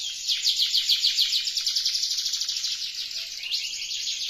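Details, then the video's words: Canary singing in full voice, prompting another canary to join in: a long continuous high trill of rapid pulsed notes, loud at first then slightly softer, with a brief upward sweep near the end. "Kicau Merdu Kenari Gacor, Kenari lain Jadi ikut Bunyi."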